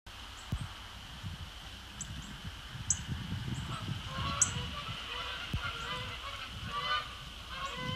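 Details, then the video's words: Flock of Canada geese taking off from the north end of Sapsucker Woods Pond near a beaver/mink lodge, late October evening: many honks overlapping in a busy chorus, with low rumbling wind or wingbeat noise underneath. "Canada Geese take off"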